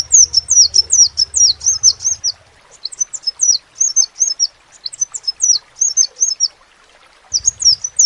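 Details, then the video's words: Crimson sunbird giving short phrases of high, thin, downslurred notes separated by brief pauses, with a low hum at the start and end. "SEPAH RAJA TERNYATA MEMPUNYAI KELEBIHAN DARI SEGI SUARA NYA YANG KHAS"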